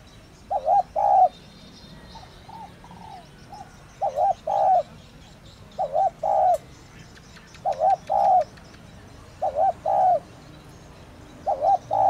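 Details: Spotted dove giving a thổ đồng style calling coo, used to lure wild doves: mellow hooting phrases of two or three notes, each with a wavering then drawn-out coo, repeated every two to three seconds against faint background noise.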